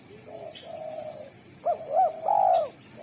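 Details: Spotted dove with a sharp, clear, melodious voice, good at calling wild doves. It gives low, level coos, then a louder phrase of rising and falling notes ending in a long drawn coo, with soft background hiss.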